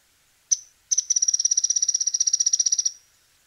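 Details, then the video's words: A Mouse-colored Tyrannulet, a common bird of Argentina, gives one sharp high note, then a fast, even chatter of about two dozen thin notes over two seconds. "Piojito gris"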